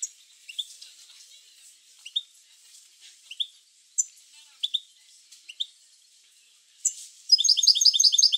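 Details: Several sparse high chirps, then a burst of rapid, ringing twittering at the end, from a European goldfinch. Intended to stimulate goldfinches into song.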